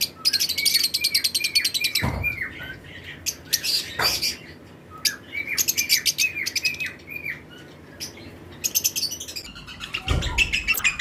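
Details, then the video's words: A colony of captive lovebirds in breeding season chatters nonstop, with rapid bursts of shrill, buzzy chirps and brief whistled notes repeated many times, broken by a few loud knocks. "Lovebirds Chirping Sound"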